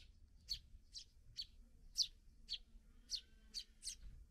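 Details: Parent sparrows feeding fledglings just out of the nest; eight high, sharp chirps at roughly half-second intervals, steady and insistent, with faint hum beneath.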